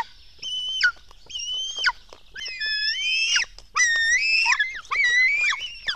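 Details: Black stork young at a nest in Latvia, fed at 04:53 on 24 June 2016: rising, harmonic squeals ending in steep drops, coming roughly once a second with faint clicks between.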